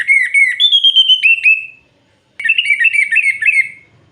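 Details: Orange-headed thrush singing at night, kept as a cage bird, two loud phrases of clear sliding whistles with quick looping notes, split by a brief half-second silence.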